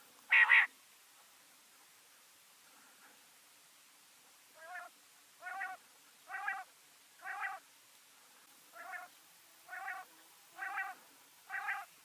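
A female common quail gives soft, nasal two-part notes, about eight in a row roughly once a second, after one louder opening note.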